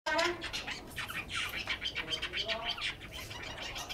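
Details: A captive Chinese hwamei kept in Hanoi, Vietnam sings loud, rich, rapidly changing phrases of whistles and harsh notes, with a possible human voice low beneath it.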